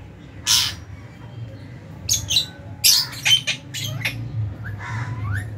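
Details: Lovebirds in an aviary colony at meal time in January, including albino, Fisher's and lutino birds; sharp, harsh chirps and squeaks come in scattered bursts, several birds calling over a steady low hum.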